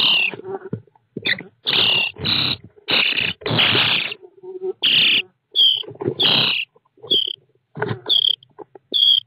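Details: Recorded by an IP camera inside a starling nest box on 29 June 2017, the young birds give rough, noisy bursts, then sharper squeaky rasps. The calls are spaced about half a second to a second apart, with scuffling underneath.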